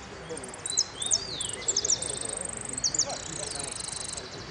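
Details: Hooded siskin singing at a contest final of winners, Amarillo Completo category, Merlo, 13 01 13: high, bright trills and sharp repeated chips, with a buzzy sustained passage and a down-slurred note; a murmur of people in the background.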